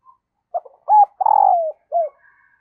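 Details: Female dove calling to excite the male: one clean coo phrase of a short note, a level note, a long grating coo sliding downward, then a brief down-slurred ending, in a quiet setting.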